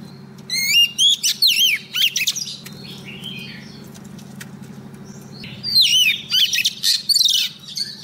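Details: Oriental magpie-robin female calling a male with song: wavering, rising and falling whistles and short buzzy notes in two bursts separated by a quieter stretch, over a steady low background hum.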